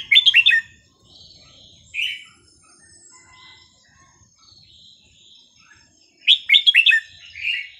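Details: Caged red-whiskered bulbul with a varied, non-repeating song for training young birds: a loud burst of rapid slurred whistles, a lone warble, several seconds of quiet, then another rich burst ending in a falling note.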